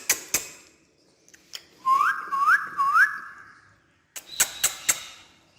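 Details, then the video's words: Parrot perched on a stair, after a few loud taps, whistles three upward-hooked notes in quick succession, then falls quiet before another burst of sharp clicking taps. "Funny Jumping Talking Parrot On Stair"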